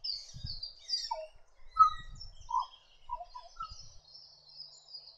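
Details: Black Butcherbird from northern Australia, a bird of mangroves, rainforest and thick vegetation, giving short, low, fluty notes in separate bursts about every half second to a second, with thin, high chirps from other birds in the background.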